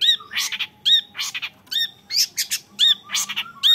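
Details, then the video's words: Young long-tailed shrike in a cage giving harsh, squawky bursts alternating with short upward-curved whistled notes, repeated roughly every half second in a rough rhythmic pattern over a faint hum. "MENYAKSIKAN GAYA CENDET MUDA"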